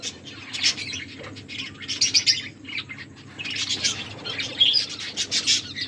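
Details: Several pet finches chirping while eating: bursts of high, dense twittering and short chirps in clusters, with a quieter pause near the middle, over a faint low hum.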